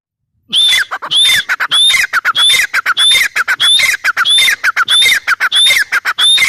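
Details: A female grey francolin calls steadily. Loud grating phrases with bright rising whistled notes repeat about every 0.7 seconds, roughly nine phrases in a continuous, insistent series.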